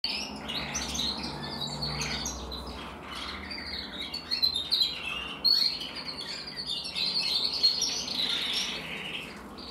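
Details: Canary with a grizzle crest, a 2023 bird, singing a continuous run of high chirps, trills and short whistled notes, with brighter bursts near the middle and end, over a steady low hum.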